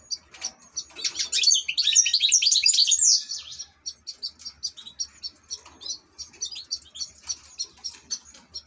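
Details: European goldfinch kept among ornamental birds opens with a dense, loud buzzy twitter lasting about two seconds. It then switches to quick, evenly spaced high chirps repeated several times a second.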